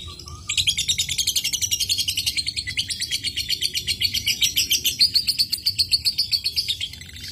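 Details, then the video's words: Lovebird singing in the ngekek style, a sound meant to prompt other lovebirds to sing: a long, fast, shrill chattering run of buzzy pulses lasting about six seconds, after a short soft chirp. "PANCINGAN AMPUH LOVEBIRD AGAR NGEKEK"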